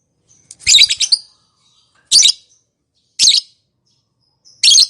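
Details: Lovebird calling to prompt other lovebirds to respond. Four harsh, high, scratchy squawk bursts about a second apart, the first longer and broken into several pulses, with faint thin whistles between.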